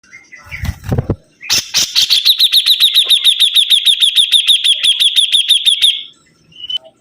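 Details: Sibuntung bird singing vigorously: a fast, even trill of bright, sharp repeated notes at about three per second, held for nearly four seconds after a few low thumps at the start.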